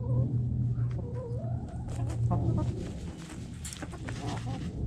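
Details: Chickens digging in the dirt give soft, low clucks and short wavering murmured notes, spaced irregularly, over a steady low rumble with scratchy rustling and scraping throughout.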